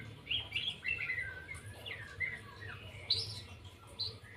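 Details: White-rumped shama singing 'lepas trotol': rapid varied whistles, downward slurs and sharp high notes in a flowing sequence, over a low steady hum.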